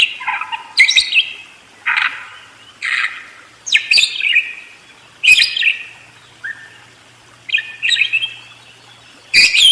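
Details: Budgerigar song of separate short squeaky phrases and sharp clicks, each burst about half a second long, repeated roughly every second with brief gaps.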